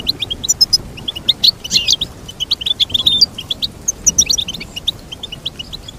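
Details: Continuous cheerful goldfinch twitter: quick high chirps strung in rhythmic runs, broken by brief jingling flourishes, over a quiet background.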